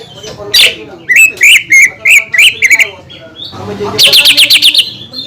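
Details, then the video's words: A greater green leafbird sings to provoke rival leafbirds: a loud high note, a row of bright slurred chirps, then a fast rattling trill of rising-falling notes, all high and whistled. "PANCINGAN CUCAK IJO GACOR YANG BIKIN BURUNG CUCAK IJO LAIN EMOSI DAN LANGSUNG GACOR"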